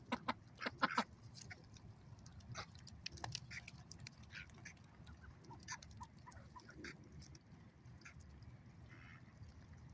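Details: Ducks at a lake: a loud burst of harsh quacks in the first second, then scattered softer quacks and short calls over steady low background noise.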